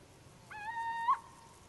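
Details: Little owl giving a single clear, tonal hooting note about half a second long, held level and then rising sharply at the end, in a quiet background.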